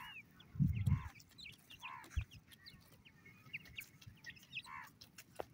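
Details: Soft repeated cheeps from partridge chicks, a few rounder calls among thin high chirps, with a burst of low knocking near the start.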